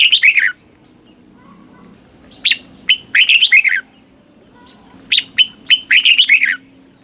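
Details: Song of a red-whiskered bulbul played for caged birds, southern Thai style; crisp warbled whistles in phrases of several quick descending-rising notes, recurring every two to three seconds, with soft distant chirping between.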